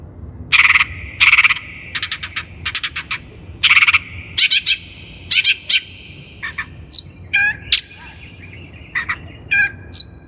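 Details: Long-tailed shrike (cendet) lure recording for training captive birds: bursts of harsh, buzzy, harmonic notes in quick pairs and triplets, then thinner scratchy notes and short sharp whistles toward the end.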